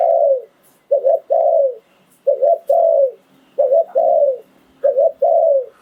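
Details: Spotted dove used as a ground decoy to lure wild doves, cooing in the phon liu tan style. A clean series of phrases, each a double short note and then a sustained falling coo, repeats about every 1.2 seconds.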